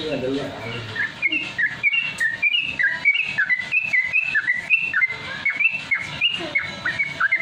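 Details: Ropel-style song of a Sooty-headed Bulbul, played to train caged birds to start singing fast: steady chain of clear whistled notes, each bending up or down, about one and a half per second.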